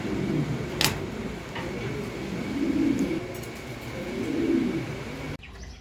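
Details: Pigeons kept indoors giving low, throaty cooing that swells twice, around the third and fifth seconds, over a steady background hum, with one sharp click near the start.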